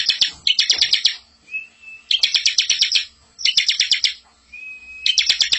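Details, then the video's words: Bar-winged prinia master song, filled and rolling, used for training young birds. Fast stuttering buzzy trills come in clusters about a second long, separated by short pauses and a soft level whistle. "masteran ciblek super gacor full isian ngerol cocok buat pancing ciblek muda atau bahan."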